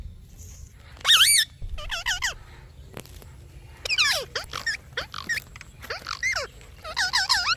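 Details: A parrot gives a series of chirps: sharp descending whistles and wavering warbled notes, repeated roughly every half second in clusters, with quiet gaps between bursts.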